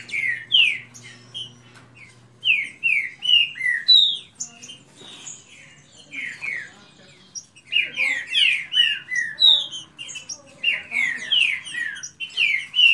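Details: Green-winged Saltator (trinca-ferro) in a fast-singing dispute with another kept bird: loud, rich whistled phrases of quick slurred notes in rapid bursts, pausing briefly between runs; a faint low hum sounds at the start.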